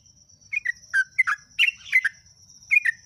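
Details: Spaced pairs of liquid, slurred notes from a yellow-vented bulbul (trucuk/jogjog) singing ngeropel style, each pair dropping in pitch, with a faint steady high-pitched hum throughout.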